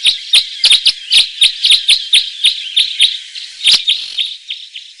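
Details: Red crossbill delivering a quick series of sharp, downslurred chip notes, roughly three to four per second, over a continuous soft warble that fades toward the end.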